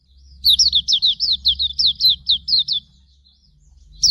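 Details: Hume's white-eye training song: a quick burst of a dozen high, slurred whistles that dip downward, delivered in a tight chattering string, then a short pause before another note begins, with a soft low rumble underneath.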